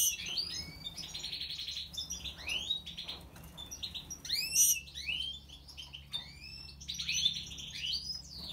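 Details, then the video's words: Extended European goldfinch song: bright high twittering, repeated upswept chirps and several rattling buzzy trills in an irregular, rapid stream. "Stieglitz Major Weiskehl 🐥 Goldfinch Cardueli طائر الحسون الرائد щегол"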